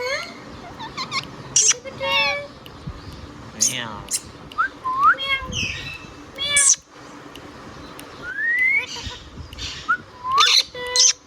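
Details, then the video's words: Indian ringneck parrot, a pet, chattering in speech-like phrases with meow-like calls, rising whistles and sharp squeaks throughout. "Ringneck Parrot Talking Sound video | Indian Ringneck parrot natural sound"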